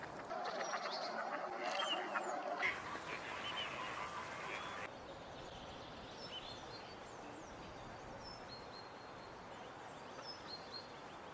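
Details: Mallard from a recording of courtship display, mating and chicks: quacks and low nasal calls in a short burst at the start, then thin, high peeps over steady background noise.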